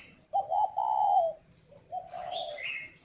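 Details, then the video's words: Spotted dove from a northern Vietnamese bird farm near Ba Vì, Hanoi, singing in the northern 'giọng còi' (whistle voice) style: a smooth, low, slightly wavering coo phrase in two parts, with higher chirps from other birds overlapping the second part. "chim cu gáy GIỌNG CÒI miền bắc"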